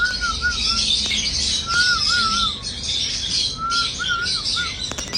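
A cockatiel whistles a short, wavering tune of rising and falling notes, repeated three times about two seconds apart, over steady high chatter from many other birds.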